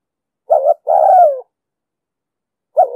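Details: A spotted dove in the 'đồng sấm' voice used for trapping lures gives one complete phrase: a quick doubled note and a sustained, sinking coo. The next phrase begins just as the recording ends.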